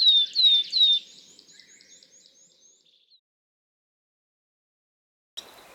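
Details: Willow Tit in Nordic forest, a species gone from common to endangered in Finland through logging and dependent on old, messy forests. It gives three clear, descending whistles in quick succession, with faint high twittering behind; brief rustling near the end.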